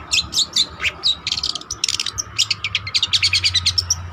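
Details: Cendet trotol, a long-tailed shrike, singing busily as a lure or master song: dense quick series of high chirps, squeaky whistles and clicks, accelerating into rapid stuttering notes, over a constant low hum.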